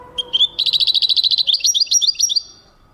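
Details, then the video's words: European goldfinch singing in 2023: a rapid run of bright, high twittering notes, about twenty in under two seconds, shifting into looser, liquid chirps before fading out; background otherwise quiet. "goldfinch singing chardonneret jilguero singing 2023"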